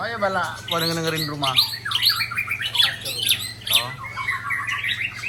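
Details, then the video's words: Ujong Pancu white-rumped shama pouring out rare mimicked phrases: opening low grating rattles, then bright whistled slurs and sharp high notes, over a constant low electrical hum. "Murai Ujong Pancu SMBF Tumpahkan Isian Langka"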